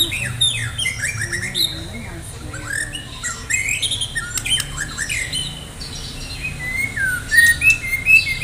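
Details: Medan-type white-rumped shama in vigorous song, prepared for a singing contest: a continuous stream of fast, varied whistles, chatters and sharp clicks over a low background hum.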